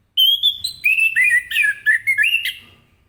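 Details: Loud morning song of an orange-headed thrush in ngeplong style, used to make other birds sing along. It is a continuous, fast string of rich whistled phrases, each slurring up or down, running for nearly three seconds before fading.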